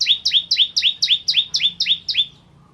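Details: Bar-winged prinia (ciblek kristal) in full voice: a fast, even series of nine loud, high chirps, each dropping then rising, about four per second, ending abruptly.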